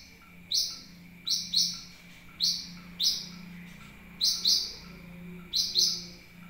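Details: Sunbird lure call used to attract birds: sharp, very high chips, mostly in quick doubled bursts, repeated about every second, with a faint steady whine running underneath.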